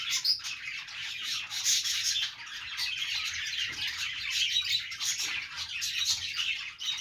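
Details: Continuous communal chirping of playing budgies, layered squeaks, chatter and thin whistles from many birds, even in level across the whole stretch.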